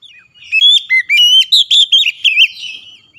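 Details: Oriental magpie-robin (kacer) in an excited, high-emotion song bout, unloading its repertoire: a rapid run of loud whistled notes, rising and falling slurs and warbled trills, packed into about two seconds.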